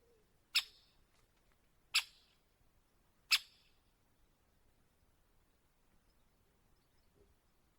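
Three sharp, high 'kik' notes from a great spotted woodpecker, spaced about a second and a half apart, then quiet.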